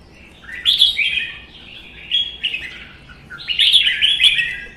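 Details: Competition singing by caged red-whiskered bulbuls, including a wild-caught bird of one season. Two loud rolling warbled phrases, the second longer and richer, framed by softer chatter.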